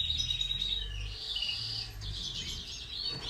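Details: Caged European goldfinch with two ak gerdan song features, a bird tried with a mate, singing in the classic saka style with çizgi and half ak gerdan passages: thin twittering high phrases over low background rumble.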